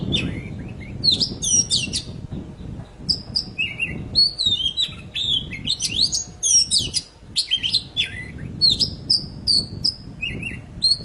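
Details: Energetic poci song, super gacor, played so that silent birds start singing again: rapid bursts of bright chirps and twisting high whistles, tightly packed, with short gaps, over faint low rumble.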